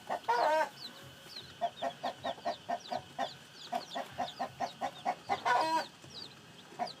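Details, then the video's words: Chickens clucking in a regular series of short low notes roughly three per second, opened and later interrupted by a loud, harsh, harmonic squawk, with faint high chick peeps in the background. "Âm thanh gà con mới nở kêu, gà kêu, gà gáy"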